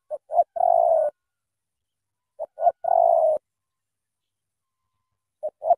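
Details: Spotted dove from Cà Mau, Vietnam, with a powerful voice, giving two full phrases of two quick notes before a long hollow coo, spaced over two seconds apart, then the opening notes of a third.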